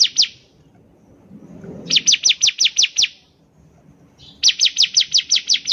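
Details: Lively bar-winged prinia (ciblek) singing as a lure recording: a brief double chirp, then two rattling runs of seven to eight shrill, downward-sliding notes about a third of a second apart, over a quiet background.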